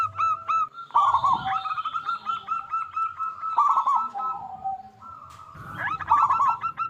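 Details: Strong-voiced local zebra dove, played as a lure to prompt other doves to answer. Repeated rolling, bubbling coo phrases at a steady mid pitch, with brief breaks between bursts.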